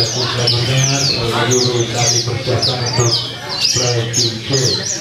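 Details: Horsfield's bush lark, heard at a bird event in Purwakarta on 2 February 2020, pours out rapid, high, down-slurred chirps and twitters in a steady stream, with a man talking and a low hum underneath.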